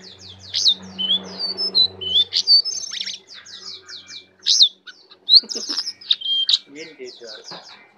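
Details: A tame brown prinia sings freely in full isian style. It gives rapid series of high downslurred notes, repeated about once a second, and mixes in louder twittered phrases. A low hum runs early on.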